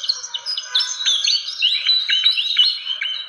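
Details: Fantail call used to lure birds: clear, high whistled notes that slide up and down, with short sharp chirps interleaved in a lively twitter.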